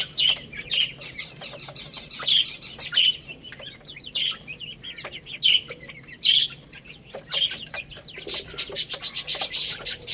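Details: Young Lohmann Brown chicks, a growing little rooster and baby hen, eating rice: high, falling peeps repeated irregularly, sometimes in quick pairs, over steady sharp pecking clicks, with a burst of rapid chirping near the end.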